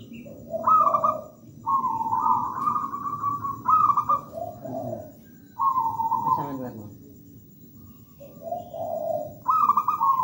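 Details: Singing zebra dove of local wild stock, delivering vibrating high coos followed by lower burry notes, several phrases separated by brief pauses over a soft low rumble.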